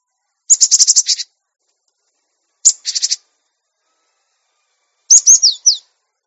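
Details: Cinereous tit recorded to train caged birds to sing and become tame: a long buzzy rattle, a shorter rattle, then a few high, fast slurred whistles, with silence between phrases.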